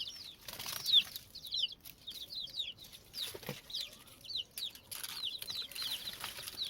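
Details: Frightened chicks calling with repeated high, thin peeping notes, each rising then falling, given about every half second by several birds. A low background hum runs underneath.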